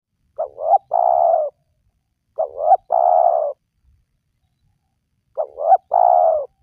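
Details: Spotted dove call used as a lure to draw wild doves into calling: three-part cooing phrases, two short rising notes then a longer drawn coo, repeated about every two and a half seconds, clean with no other sounds.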